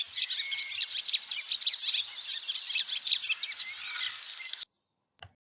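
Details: Barn swallow call offered for comparison with the swift's scream: rapid high twitters and chirps with a short buzzy rattle before it cuts off abruptly.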